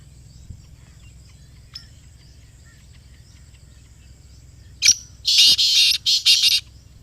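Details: Black francolin calling near the recorder after several seconds of near quiet: a sharp opening note, then three rough, buzzy notes, the final two close together.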